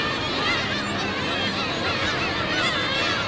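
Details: Several black-tailed gulls in Otaru, Japan, pleading for fish: overlapping plaintive, slurred mewing calls, some rising and some falling, packed together without gaps, with a steady noisy background.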